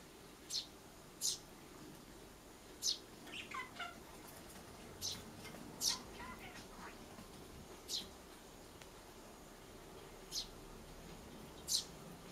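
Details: Young Eurasian tree sparrow begging to be fed: a series of about ten piercing, falling squeaks spaced one to two seconds apart, mixed with a few softer lower twitters and quiet indoor background.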